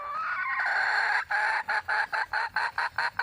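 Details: Red junglefowl hen calling to attract a mate opens with a drawn-out nasal note, then breaks into a rapid string of short, clipped clucks repeated several times a second.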